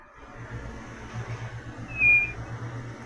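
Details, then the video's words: White-bellied nothura (Nothura boraquira), a bird of northeastern Brazil often heard in farmland: one clear, high whistle falling slightly in pitch, over a steady low hum and faint hiss. "Vamos ouvir a codorna do nordeste."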